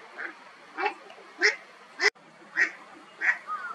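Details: Eastern spot-billed duck on the move across water, uttering a handful of short nasal quacks spaced about 0.6 seconds apart, with faint background noise between them.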